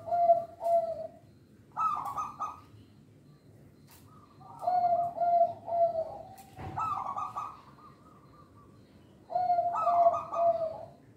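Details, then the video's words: Local zebra dove used as a lure for training other birds, giving gentle low-pitched cooing phrases of rolling, slightly descending notes, repeated every few seconds with short clicks and quiet background noise. "Perkutut Lokal Suara Istimewa, Pemikat Bakalan"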